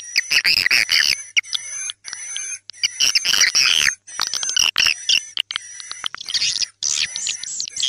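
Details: Edible-nest swiftlet "tarik senja" lure sound, a created call for attracting swiftlets to swiftlet houses: dense, high, buzzy chirping bursts, several each second, over steady thin electronic whining tones.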